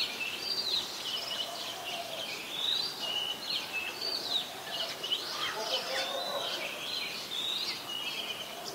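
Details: A male and female Brown-throated Sunbird in Ubon Ratchathani, Thailand, 3 January 2021, give high, sharp chips and quick twittering notes almost without pause, over a steady hiss of background noise.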